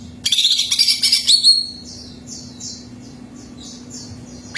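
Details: Greater green leafbird singing to prompt another bird to sing: a loud burst of rich, rapid warbled and chattering notes, then a run of faint, quick downslurred whistles repeated in a series. Steady low hum behind.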